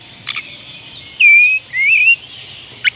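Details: Oriental magpie-robin song used to coax reluctant birds into singing: two clear whistled notes, the second wavering, between brief faint chips, over a steady low hiss.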